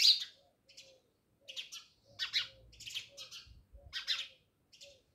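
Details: Chirping house sparrows by a village home in Jamnagar: loud opening chirp, then uneven runs of rasping notes with a faint low murmur beneath.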